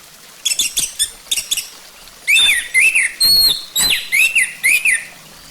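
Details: Orange-headed thrush song used as a lure to make the bird sing: a few dry clicking notes followed by a steady series of loud arched whistles repeated roughly twice a second.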